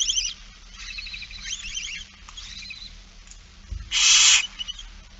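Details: Barn owl during a feeding, recorded 8 September 2019 at 16:02: faint high twittering chirps, then one loud harsh hissing burst about half a second long, with a soft thump just before it.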